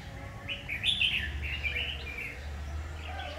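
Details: Red-whiskered bulbul recorded during a trapping session on 7 August 2019: a short burst of bright, warbling notes around the middle, then softer broken phrases, over a steady low hum.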